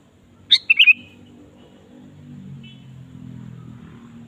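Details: Lively Sooty-headed bulbul song used as a lure to set a caged bulbul singing; a single quick phrase of a sharp note and a bubbling whistled tail, followed by a low background hum.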